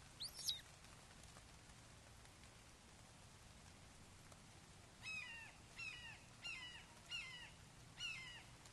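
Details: At a Wake Forest red-shouldered hawk nest, morning of 29 May 2023, a father delivers a frog to a fledgling. One sharp cry opens, then after a quiet stretch five descending harmonic squeals repeat about every 0.7 seconds.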